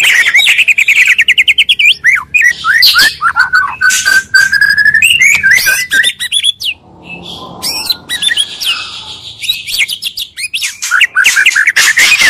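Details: Oriental magpie-robin lure song blending two singers to provoke other magpie-robins: rapid varied whistles and chattering notes around mid-high pitch, with dense trills, a brief quieter gap near seven seconds, then renewed chatter.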